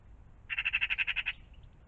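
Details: Loud, rapid magpie rattle of roughly nine harsh chak notes in quick even succession, recorded in the morning around a pond with little else heard.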